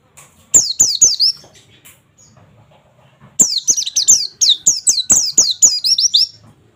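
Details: Oriental white-eye (pleci) in the 'nembak' song style, 'wit wit wit', used as training audio to get birds singing quickly: two bursts of high, sharp, downward-slurred whistles, about four a second, separated by a short pause.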